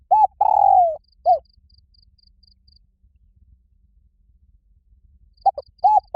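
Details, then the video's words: Loud, resonant spotted dove call to fight. A long falling coo and a short coo are followed by a quiet pause. The short notes and rounded coos then resume, with faint high rhythmic ticking behind them. "Tiếng chim cu gáy gọi bổi rất to và vang cu gáy gọi đấu"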